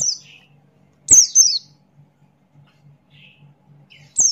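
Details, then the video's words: Sparse song from a Buxton's white-eye in 'ngalas' style: isolated high, thin descending whistles and a couple of softer lower chirps with long pauses, over a low droning hum. "Burung Pleci Buxtoni Gacor Ngalas Buka Paruh"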